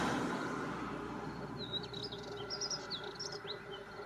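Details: Male spectacled warbler at Gáldar, Gran Canaria, in February 2023, giving a brief, thin, high scratchy warble of quick twittering notes midway through, over a steady low hum of background noise.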